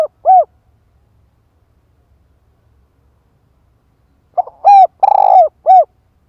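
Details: Female spotted dove kept as a decoy, calling to provoke a male: one short cooing note, a pause, then a loud burst of four or five hoarse, rough coos with one buzzy, drawn-out note in the middle.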